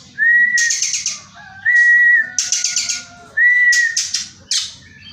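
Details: Caged Oriental magpie-robin trained with Tengkek Buto kingfisher sound material: pure rising whistled notes, each followed by a harsh buzzy burst, repeated about every one and a half seconds.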